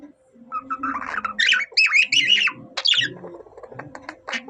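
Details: Pet budgerigar singing in imitation of a cockatiel: busy chattering warble of squawky, buzzy notes and brief whistled slides, loud bursts around the middle, with a low murmur underneath.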